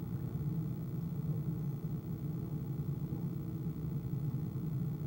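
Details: Steady low rumble and indoor hum with no animal voice audible.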